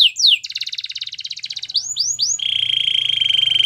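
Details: Canary training song with fast chopped notes forming a pulsing rattle, three loud swooping slurs, then a sustained rolling trill, over a faint low hum.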